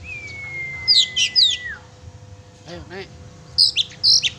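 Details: Oriental magpie-robin singing energetically as a lure for a pet bird: a drawn-out whistle falling at the end with three sharp notes above it, a soft lower warble, then fresh bursts of high chirps.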